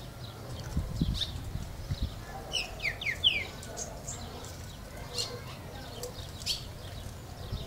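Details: Green-winged saltator on its first day of singing, giving a quick run of four or five bright whistled notes that slur downward, set against low background rumble and faint scattered clicks.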